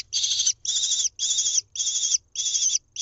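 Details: Lesser kestrel nestling at a nest camera in Israel, being fed a mouse on 1 June 2021; harsh, raspy high calls in steady bursts of about half a second, repeated roughly twice per second, with faint low rumble beneath.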